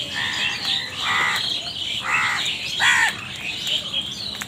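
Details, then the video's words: Crows, said to be fighting over food, giving harsh, nasal caws repeated about once a second, several birds overlapping amid a busy chorus of other high chirping birds. "Crow Bird Crowing Sound"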